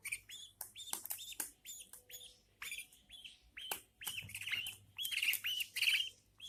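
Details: Budgie chicks, newborn, being fed by their mother, giving a busy mix of raspy, buzzy chirps and squeaks that swell into louder, harsher calls near the end, over faint background hum.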